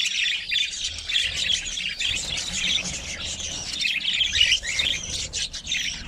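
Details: Pet budgerigars in a home setup with cockatiels chatter in a dense stream of high, scratchy chirps and squawks.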